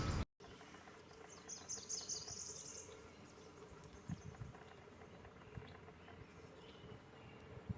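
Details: Northern Parula giving its less familiar song, which can be mistaken for a Cerulean Warbler, on a mid-May spring migration morning: a quick series of high, buzzy notes climbing over two seconds to a sharp final note, over low wind rumble.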